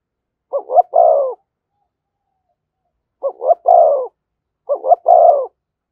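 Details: Spotted dove in thúc gù cooing beside a decoy bird: one three-part phrase, a long pause, then two more in quick succession, each two brief coos leading into a longer, lower held note.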